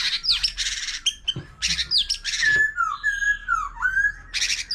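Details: Many-voiced song of a wild-caught white-rumped shama, with a laughingthrush alongside; harsh rasping bursts alternate with clear descending whistled phrases, ending in another grating burst.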